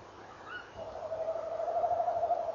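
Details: At dawn on 18 November 2013 a female tawny owl's brief higher rising call is followed by the male's sustained wavering trill, which swells steadily louder over nearly two seconds.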